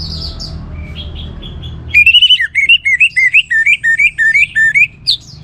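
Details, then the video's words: Orange-headed thrush, a captive songbird, singing to stimulate other birds to sing: a loud run of rapid, repeated warbled notes around mid-high pitch, preceded by fainter higher chirps from other birds. "The Best ANIS MERAH Gacor Untuk Memancing Burung Jadi NGeplong Bahkan Teler"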